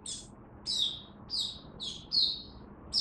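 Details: Caged oriental white-eye opening into song, kept as a hobby bird during cold rainy weather, October 2022: short, high, buzzy-whistled chirp bursts repeated about every half to three-quarters of a second, with one longer sustained note near the end.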